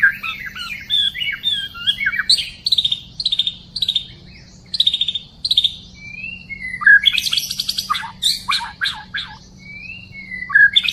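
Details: Wild white-rumped shama recorded on 12 December 2016 in a trapping setting, singing a rich run of varied whistled and fluted phrases, some slurred rising notes, then loud rapid bursts of scratchy, chattering notes; low steady hum underneath.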